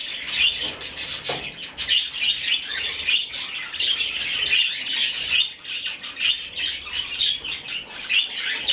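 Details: A rescued budgerigar chick being hand-fed gives a raspy, high, almost continuous begging chatter, with sharper cheeps about every second, all through the feeding.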